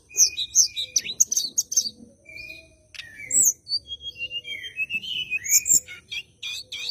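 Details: Bar-winged prinia singing aggressively as though looking for an opponent, a lure for white-rumped shama song: quick high chips and buzzes, a brief pause, then warbling slurred whistles and rapid trills.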